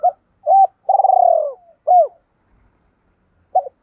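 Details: Coo sequence from a spotted dove decoy bird in the double "two-back" voice: clipped coos, a drawn-out vibrating purr sliding downward, then an arched coo and a short final note, no other sounds.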